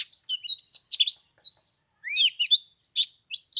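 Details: Oriental magpie-robin singing on the third day of Tet in cold weather of 15 degrees: dense rapid chattering phrases mixed with a clear sustained whistle and quick descending notes.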